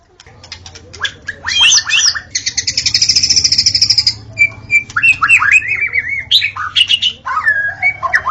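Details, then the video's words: White-rumped shama (murai batu) in a forest, delivering a rich song: fast trilled bursts, a sustained buzzy rattle lasting nearly two seconds, then clear whistled slurs and rising notes, faint low hum behind. "Murai Batu Auto Gacor: Simak Suara Asli di Hutan yang Memikat"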